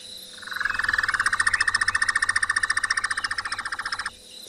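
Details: Square-tailed nightjar on a chilly evening in a South African game reserve gives a steady, rapid churring trill of fast even pulses lasting about four seconds, over a faint low engine rumble.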